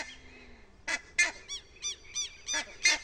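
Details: Buff-necked ibises, four of them in a tree at a rural site, give a rapid run of loud, hoarse, honking notes. About seven calls come in three seconds, some with a falling, bouncing tone.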